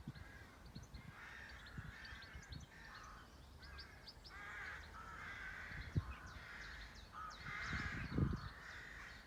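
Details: Birds calling on a farm in a peaceful rural setting: a run of hoarse caws spaced every couple of seconds, overlaid by small high chirps and twitters, with low rumbles and a thud near the end.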